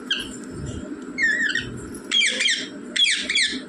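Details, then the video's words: Indoor rose-ringed parakeet mimicking the words mummy and papa: thin whistled tones followed by two loud, rasping, harmonic bursts near the end, against soft background music. "बोलने वाला तोता मम्मी पापा बोलने वाला तोता"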